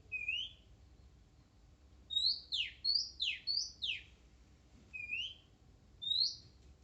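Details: Wild Oriental magpie-robin, shy yet singing steadily: clear high whistles, some rising, mixed with a fast burst of five whistle-then-buzzy-downsweep phrases, over a quiet background.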